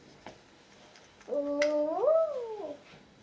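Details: A grey parrot kept indoors, at breakfast, gives a single drawn-out tonal call lasting about a second and a half that holds level, then rises and falls, with a faint click just before it.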